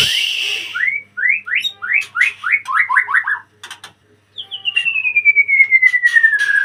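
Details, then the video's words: Caged white-rumped shama in a breeding cage, singing in lively form. A rapid run of about a dozen short rising whistles is followed by a pause, then one long, clear whistle sliding slowly downward. "murai gacor dikandang ternak"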